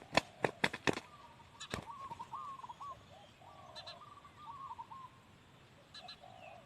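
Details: Large male spotted dove at Ban Khok Noi, Na Chaluai district, Ubon Ratchathani, Thailand, gives wavering, mid-pitched cooing phrases in three bouts, after a quick burst of sharp claps like wingbeats at the start.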